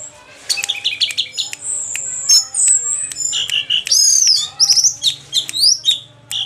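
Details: Orange-headed thrush singing after its moult: a loud, varied run of high whistled phrases, a long sustained whistle near the top, then quick sweeping trills and chattering notes with brief pauses.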